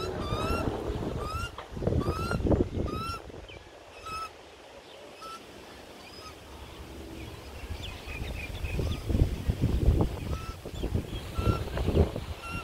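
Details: A baby Australian magpie on its second day out of the nest, being fed by both parents in Melbourne in 2020, gives nasal, rising squawks in quick runs of several notes, pausing, then starting again, over a steady low rumble.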